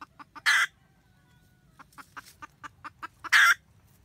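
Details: Nest-guarding red junglefowl hen cackling for the male, recorded 2020-2021: a steady run of short sharp clucks, roughly five per second, broken by two loud grating bursts about three seconds apart, low hum underneath.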